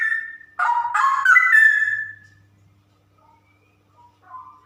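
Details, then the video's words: Female straw-headed bulbul, kept caged, delivering one loud, liquid, gurgling whistled phrase that ends in a sliding note, then a few quiet warbled notes. "Burung Cucak Rowo Betina Super Ropel"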